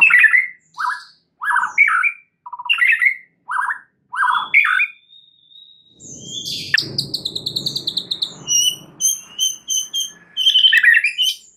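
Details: White-rumped shama singing as a lure to make another shama sing its full repertoire: a series of loud varied whistled phrases, a long thin whistle, then fast repeated high notes and a rattling trill.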